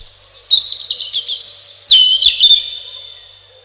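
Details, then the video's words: Robin song: one sustained warbling phrase of rapid, high twittering notes that swoops down into a long, even whistled tail, punctuated by a couple of sharp clicks. "1 Hour Robin Bird"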